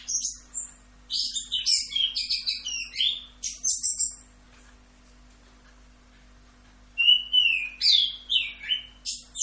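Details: Orange-headed thrush singing 'rock'n roll' style, a rapid burst of high chattering and whistled notes for about four seconds, a pause of near silence, then another quick series of rising and falling whistles.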